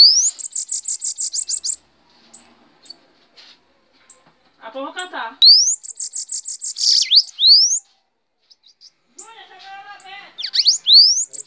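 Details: A bananaquit from Paraíba, Brazil, singing while perched on a person's hand: a high, thin, rapid buzzy trill, then sharp upslurred whistles and squeaky chatter in bursts, with a few soft clicks between phrases.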